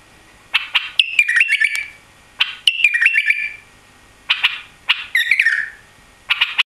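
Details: Repeated phrases from a newly arrived caged white-eared bulbul, each a burst of harsh clicks and chatter ending in a quick, descending whistled flourish, about every two seconds.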